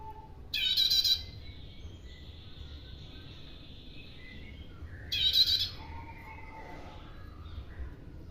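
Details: Bar-winged prinia lure call: two loud bursts of rapid, high, buzzy trilled notes about four seconds apart, separated by a long thin steady tone and faint softer notes, with a low background rumble.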